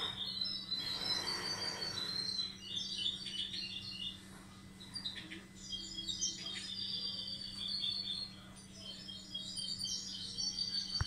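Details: European goldfinch hybrid starting to sing: a continuous, quiet stream of twittering, tinkling high notes and rapid chirps, with a steady low electrical hum underneath.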